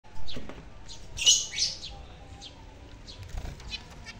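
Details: Zebra finches waiting for a much-anticipated food give short, bright chirps scattered among soft fluttering wingbeats.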